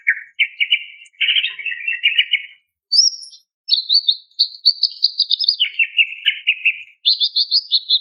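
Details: Female greater green leafbird calling to a male, used as therapy for a stressed or silent bird: bursts of buzzy chattering notes around mid pitch, then higher stuttered phrases, a brief piercing whistle, and a final run of rapid chirps.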